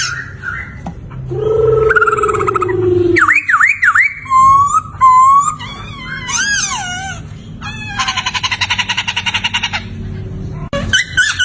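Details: Laughingthrush mimicking and varying its voice, used as a teaching song for songbirds: a low drawn-out moan, zigzag whistles, steady whistled notes, cascading falling slurs, then a long buzzy rattle.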